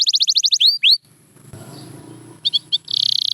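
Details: Canary song: a quick run of repeated bright notes and two upswept chirps, a pause with faint low background noise, then short double notes leading into a fast dense trill.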